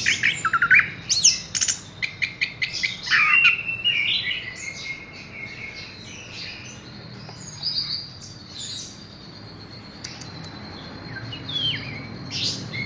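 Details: Horsfield's bush lark song opening with a loud burst of rapid clicking and chattering notes, then trailing into fainter, scattered high whistles and thin slurred phrases.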